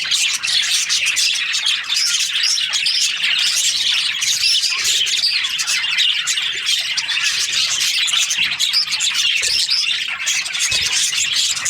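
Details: Chorus of happy budgies during their breeding season, many birds chattering at once in a continuous high twittering wash with scattered sharp squeaks throughout.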